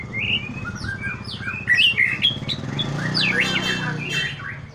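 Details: Morning song of a white-rumped shama in pastol style, used to stimulate a young shama: rising and falling whistled phrases and quick chips, with a continuous low hum throughout.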